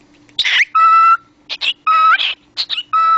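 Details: Pet cockatiel, a talking parrot, giving steady flat whistles with strong overtones that alternate with short noisy, breathy speech-like syllables. The phrases come in bursts separated by brief silences, with a faint steady hum behind.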